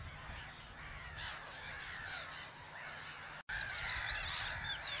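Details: Black-headed gulls give harsh, overlapping nasal cries with sharper high squeals near the end, over a low rumbling hum, at Haaksbergerveen, Twente, Netherlands.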